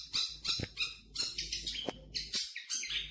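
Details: Champion long-tailed shrike giving loud, harsh, noisy squawks in a steady run of short bursts, with a faint knock in the background.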